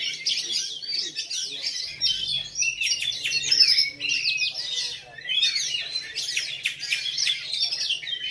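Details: Oriental magpie-robin of the black form, showing the bowing style at a routine singing competition in Lhokseumawe, 9 January 2022. A loud, nearly continuous torrent of high twittering, whistled and scratchy notes, pausing briefly around five seconds.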